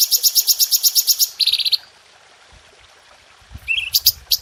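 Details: Red-whiskered bulbul masteran for cage birds: a run of about a dozen sharp high notes, then a short buzzy rattle, a pause, and renewed notes with a rising slur.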